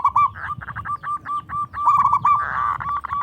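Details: Loud local zebra dove whose singing invites other doves to answer: continuous fast string of short repeated mid-pitched notes with a rolling rhythm, over steady low background rumble.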